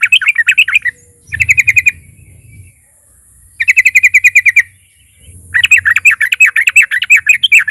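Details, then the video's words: Sooty-headed bulbul (trucukan), a lively fighter bird singing in narung style, used as a lure to provoke other bulbuls to sing: bursts of fast, bright chattering notes, each about a second long, separated by short silent gaps; faint low hum beneath. "pancingan TRUCUKAN GACOR fighter NARUNG,, TRUCUK DIAM SEKETIKA BUNYI dengar KICAUAN NYA CRUCUK INI"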